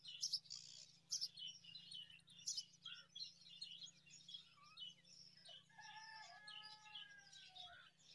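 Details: Five myna babies receiving date fruit, giving sharp raspy bursts in quick succession, followed near the end by a few clear, drawn-out whistled notes, with a faint hum underneath.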